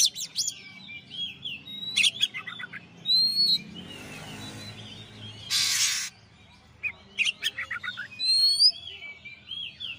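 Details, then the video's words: Champion Oriental magpie-robin singing for a master training recording: varied whistled notes around high pitch, quick rattling series, and harsh broadband bursts near two, five and a half, and eight seconds, with pauses between phrases. "masteran suara kacer juara"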